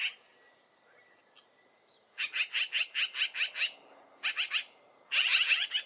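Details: Loud magpie chatter: a series of harsh, grating notes repeated several times a second in three bursts, the last one dense and noisy, with a faint thin whistle in the background.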